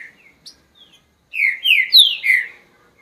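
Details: Green-winged saltator gives a few quiet chips, then a rich phrase of four connected, downslurred whistles in the upper-middle pitch range.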